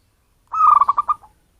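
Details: Zebra dove of wild local origin, whose call serves as a bird lure: one brief rolling phrase of about six quick, soft cooing pulses that trails off, with no other sounds.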